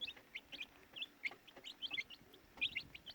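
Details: Baby chicks peeping in short bursts, clear high downslurred chirps in small clusters with brief quiet gaps between them.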